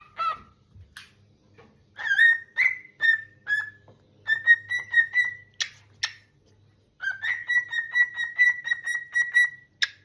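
A cockatiel greets its returning owner with bright, repeated whistled notes, some rising and warbling.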